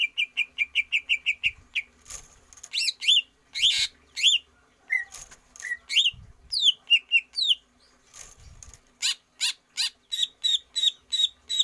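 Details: Greater green leafbird kept in a cage and trained for stamina: rapid repeated whistles at the start, then varied rich warbled phrases and upslurs, ending in a quick regular series of high notes, with clicks between.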